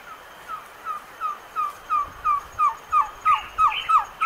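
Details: Ringed kingfisher (Megaceryle torquata) calling a steady series of harsh, down-slurred notes, about three per second, growing louder toward the end.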